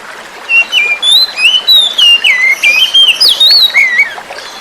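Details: Song of a forest-caught juvenile oriental magpie-robin meant to lure silent birds back into song, accompanied by running water; a fast chain of about fifteen bright whistled slurs, rising and falling, some with sharp upward flicks.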